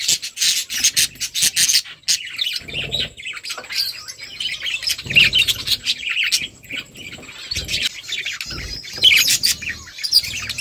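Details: Budgie flock while eating: continuous bright chirping and warbling chatter from several birds, mixed with clicking and low thumps from feeding.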